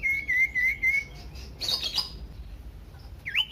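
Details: Common iora song meant to set other ioras singing, beginning with a long wavering whistle, followed by a harsh burst and one sharp rising note at the end.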